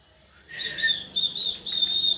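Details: A parrot gives high whistled chirps in short connected phrases, mostly level in pitch with a lower note at the start.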